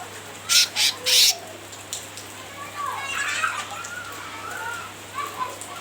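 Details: Cucak ranting in full voice, chattering to provoke a rival: three harsh, broadband rattling bursts in quick succession, then softer wavering whistles, with faint background noise.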